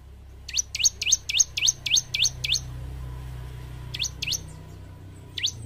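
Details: Bar-winged prinia singing gacor style, used to train caged group birds to sing quickly: a fast run of eight sharp, high downslurred chirps, then a pause and three more single chirps.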